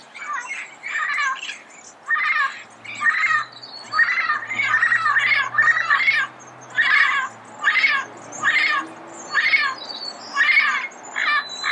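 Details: Red-crowned amazon recorded early morning in Pasadena: loud, harsh, raspy squawks repeated roughly every second in a steady series, with faint high chirping of small birds in the background.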